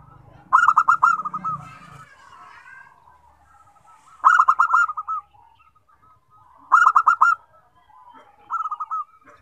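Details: Local zebra doves, called perkutut, joining in once one sings. Loud bursts of six or seven rapid stuttering coos come at roughly two-to-four-second intervals, separated by softer rolling coos from other birds, plus a low rumble early on.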